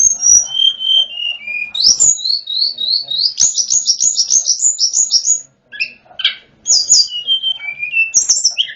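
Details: Snowy-browed flycatcher in full song, kept as a training tutor for other birds: thin, high whistled phrases sliding down and up, then a rapid run of repeated bright notes, broken by short pauses.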